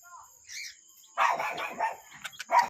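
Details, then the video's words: Cockatiel singing, Manjeri, Malappuram: a soft whistle, then a loud, busy burst of chattering, warbled chirps rising and falling, with short sharp whistles and a final loud chirped phrase; constant high hiss behind. "cute cockatiel singing"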